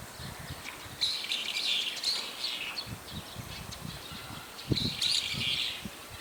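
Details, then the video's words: Several brown-eared bulbuls calling in daytime, using about four call types; loud, harsh, high-pitched bursts in two bouts, one around the first two seconds and another near the end, over faint low rumbling background. "ヒヨドリの鳴き声（4種類） Brown-eared Bulbul"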